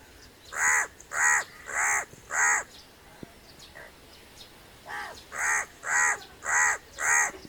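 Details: Crow calling a run of four rough, grating caws about every half second, then a short quiet pause with a faint click, then five more evenly spaced harsh caws.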